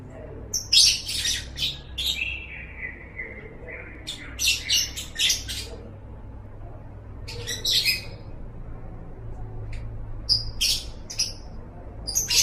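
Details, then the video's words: Lovebird recorded as a training track for other songbirds, giving short bursts of harsh, high squawking chatter separated by pauses, with one drawn-out falling note near the start and a low steady hum beneath. "Masteran Suara Burung Love Bird"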